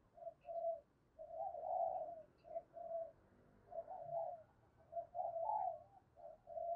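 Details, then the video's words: Decoy spotted dove cooing at a distance in the early morning to attract wild doves, with soft mellow phrases repeated steadily over a rumbling background hiss. "Chim Cu Mồi Gáy Gọi Bổi Sáng Sớm"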